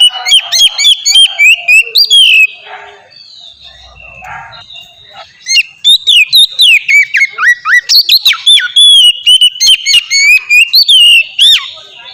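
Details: Oriental magpie-robin song intended to make other magpie-robins sing: rapid whistles and chips, a faint lull with low thuds, then a long fast run of varied slurred whistled phrases.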